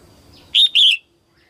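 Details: Female red-whiskered bulbul singing to stimulate males at the start of the 2022 season. One loud, clear phrase of two rapid warbling whistled notes, the second longer and wavering, then silence.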